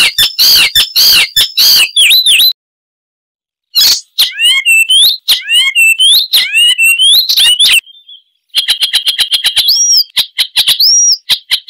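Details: Varied Icterine warbler song with its characteristic mimicry. Harsh chattering leads into looping, slurred whistles and hooked notes after a pause, then a long sequence of high ringing tones and rising whistles.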